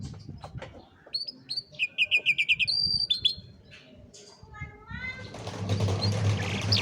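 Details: Canary song used for training young canaries, recorded on a cellphone: a rapid series of bright whistled and trilled tours, including a fast pulsing run and a sustained high note, followed by broadband rustling noise.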